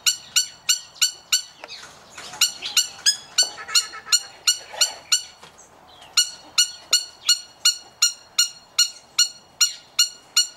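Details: Captive male trumpeter hornbill at an aviary in Oregon, USA: loud, clipped nasal notes repeated nearly three per second, briefly pausing near six seconds, with other birds chattering faintly underneath.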